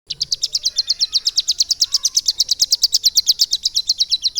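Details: Caged Bar-winged Prinia, kept and trained about three months, singing a lovebird-style filling: a fast, even string of high sharp chips, roughly six to seven per second, running without pause for over four seconds.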